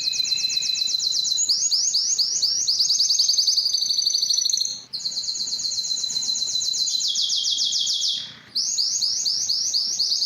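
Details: Spanish Timbrado canary singing; long bright rolling trills and quickly repeated notes on a steady pitch, broken by two short pauses, each followed by a fresh trill.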